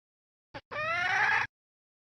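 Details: Female red junglefowl call used to lure wild junglefowl: a short click, then a drawn-out harmonic-rich squawk rising slightly over about three quarters of a second.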